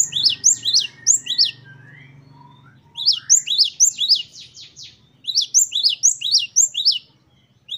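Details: Great tit (gelatik batu) singing the wucit-wucit style: three bouts of high, sharp repeated two-note phrases, about six in quick succession, split by short pauses, over a faint low hum.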